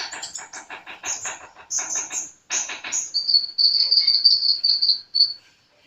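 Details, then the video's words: Sunbird singing vigorously: a rapid run of clicky, scratchy notes that gives way to a string of thin, high whistled phrases, close and clear. "Burung kolibri gacor"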